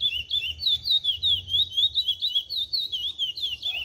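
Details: Chestnut-bellied seed finch ('pardo' plumage) singing the 'Cascatinha' style of CD 357 at pace 0.80: continuous fast string of pure, wavering whistles that dip and rise, closely spaced and loud, over a faint low background rumble.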